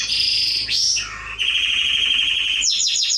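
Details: Atlantic canary song for training young birds: a high trill, a swift rising-then-falling slur, a low warbling dip, then a sustained buzzy trill and a closing burst of quick descending notes.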